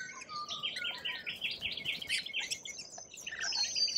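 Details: Lorikeets in Australia: a steady stream of high, harsh chattering and screechy chirps, overlapping as from several birds, with brief whistled notes, in an outdoor setting.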